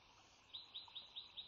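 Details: Resident female bald eagle laying the first egg of a second clutch at the Sauces nest, 3 March 2017; five evenly spaced, sharp, high chirps in just over a second, with faint hiss behind.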